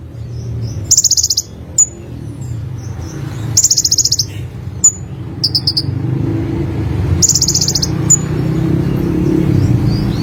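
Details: Olive-backed sunbird singing very high, fast buzzy trills in bursts about a second long, separated by short pauses and single sharp notes, over a steady low rumbling hum.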